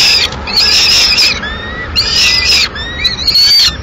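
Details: Mid-morning at a Madrid nest, a female peregrine falcon bringing pigeon remains gives three grating, wailing bursts, with thin rising whistled notes heard between the harsh outbursts.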